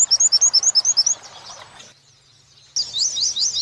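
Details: Oriental white-eye training material in the wit-wit sambung kunti style. Quick paired wit chips, roughly eight per second, fade into a gap of near silence, then a loud high twittering burst resumes after a sharp cut.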